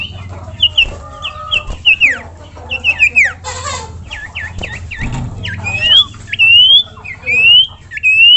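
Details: Masteran song of a common iora (sirtu, cipoh): a run of bright whistled upslurs and downslurs, some hooked, repeated irregularly with buzzy trills in between and a low background hum.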